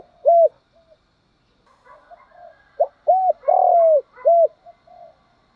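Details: Decoy spotted dove cooing to lure wild doves, the calls described as coming from both male and female birds. A single coo, then a phrase of four loud arched coos including one long drawn-out note, with soft murmuring between.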